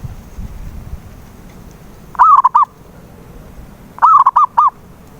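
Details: Zebra dove cooing, used as a lure to get a silent dove to sing: two phrases, each a warbling, slightly falling coo followed by three short clipped coos, about two seconds apart over faint low background hum.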